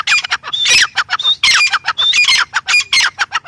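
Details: Loud grey francolin call: rapid, grating squawks repeated in quick succession, with short whistled notes mixed in and almost no background sound.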